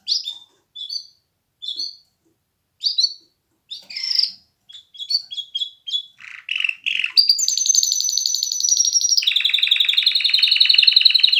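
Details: Canary: scattered short chirps and twitters at first, then a loud continuous high trill that drops into a lower rapid rolling trill.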